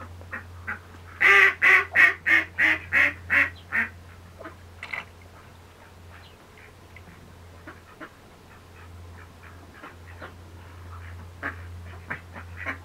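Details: Red-billed teal calling indoors: a loud burst of about seven harsh, evenly spaced quacks in quick succession, then softer scattered quacks and clucks over a steady low electrical hum.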